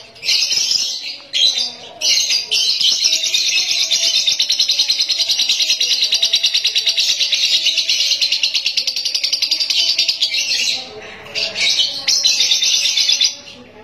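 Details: Young lovebird test-performing ngekek on a terrace: a long, dense, shrill chattering stream lasting most of fourteen seconds, with short breaks, over a faint low background rumble.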